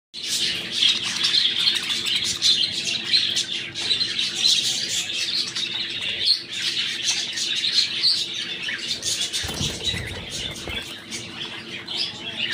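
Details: Budgerigar chicks begging, a dense, high, raspy chatter of overlapping chirps without pause.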